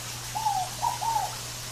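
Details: A single song phrase of a Scaled dove in natural surroundings: one drawn-out falling coo, then two quick clipped coos, with a faint steady hum underneath.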